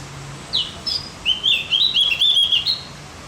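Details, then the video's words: Javan grey-throated white-eye song, used as tutor audio to make other birds more excited: two short high notes, then a fast, warbling, twittering run of high chirps lasting about a second and a half, with faint low hum behind. "Masteran buat burung OPIOR JAWA agar tambah emosi"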